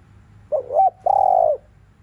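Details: A spotted dove calls in the afternoon in the rousing 'thúc liu riu' style, a single phrase of a quavering double coo then a drawn-out, steady low hoot, with faint background hum.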